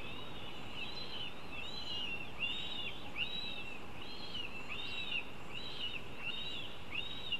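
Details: Northern goshawk at a nest while the young are being fed: thin, high, arched chirping notes repeat about every second and overlap, over steady low rumbling background noise.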